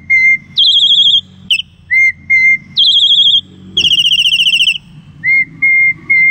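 Black-collared starling singing clear, steady whistles alternating with higher, warbled trilling phrases, repeated in a loose cycle every couple of seconds. Nothing else stands out.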